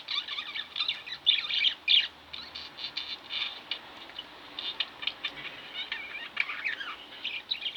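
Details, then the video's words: Indoor budgies giving steady soft chattering and warbling with scattered brighter chirps, a continuous murmur of high notes over faint room noise. "Budgie Birds Extravaganza-Relax With My Budgies"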